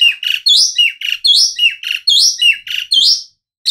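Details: Asian pied starling repeating a loud, harsh two-part phrase about three times a second: a grating chatter followed by a squeaky rising note. Steady and energetic, with no background noise.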